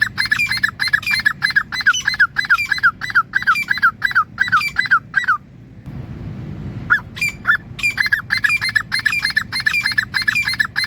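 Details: Grey francolin giving loud, shrill notes in a steady rhythm, about three per second, broken by a brief pause with faint noise before the same rapid series starts again.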